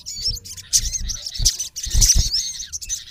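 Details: Olive-backed sunbird male (sogon) calling at a rival: a few quick high chirps and curling whistles packed into a brief burst, with low thumps.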